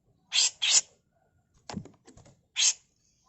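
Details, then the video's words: Two rough, hissing bursts from a female grey-cheeked bulbul used for tutoring birds, followed by faint clicks and one more grating note, in the harsh 'mbeset kasar' manner. "Masteran Burung CUCAK JENGGOT FULL MBESET KASAR || Cucak jenggot betina"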